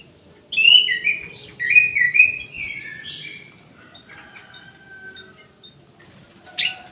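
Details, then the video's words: Orange-headed thrush singing in an aviary: a burst of loud, clear whistled phrases, rising and falling and mixed with short warbles, followed by softer, fainter notes and a final brief sharp note. "SUARA ANIS MERAH"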